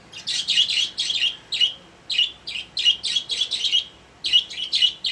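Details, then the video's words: Budgerigars kept as caged pets chirp in rapid runs of bright squeaky notes, three or four in quick succession, then a short pause before the next run. "My Happy Budgies | Spreading Love in the Cage"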